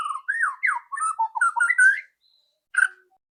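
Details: White-rumped shama pouring out its loud rattling song to prompt a bird to sing quickly: rapid rich whistled phrases with steep slurs, tumbling into a dense run, then a single sharp note after a pause.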